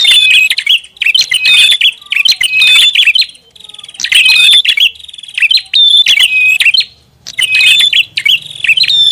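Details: Loud prinia lure call of high chirps and ticking trills in bursts separated by brief pauses; a faint low buzzing hum appears toward the end.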